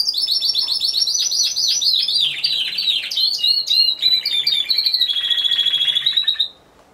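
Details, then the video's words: Timbrado Español canary in a singing competition, individual class, November 2015; rapid varied chattering trills, then a lower rattle and a steady rolling trill ending abruptly in silence. "Έκθεση Καναρινιών Φωνής Timbrado Español"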